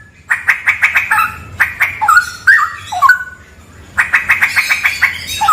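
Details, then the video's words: Straw-headed bulbul song recorded in a haunted cave: series of fast rough pulsed notes, then a few rich slurred whistles, then the pulsed chatter returns. "MP3 suara cucak rawa"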